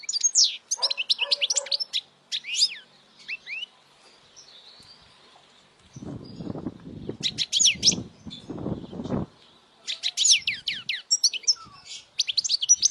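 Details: European goldfinch singing loudly as a model for young goldfinches to learn: bursts of rapid, twittering high chirps and buzzy trills, pausing mid-clip while low thumping knocks sound, then resuming in quick tinkling phrases.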